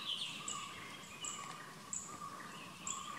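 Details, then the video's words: Southern hill myna (Gracula indica) giving short, piercing high whistles about every three-quarters of a second over a steady, lower whistled tone and a soft background hiss. "Southern Hill Myna"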